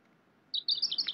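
Pink robin giving a quick run of high, thin chirps, about five notes in under a second, over a quiet background.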